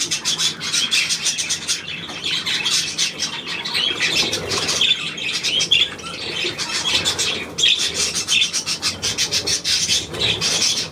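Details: Budgerigars recorded 9 February 2024 chatter continuously, rhythmic clicking bursts and harsh squawks mixed with soft warbled notes, a short lull around the middle.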